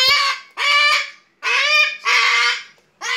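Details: Baby umbrella cockatoo, a pet indoors, excitedly greeting its owner returning home from work: loud, harsh, drawn-out screeches, four in about three seconds with short gaps.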